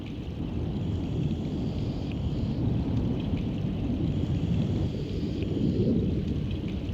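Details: Dense rushing, rain-like water noise with deep rumbling throughout and no animal calls.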